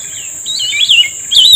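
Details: A grey-bellied bulbul responds to a trapping lure with a fluid, wavering whistled phrase that dips and rises, then a fresh loud burst at the end; steady insect buzz in the background.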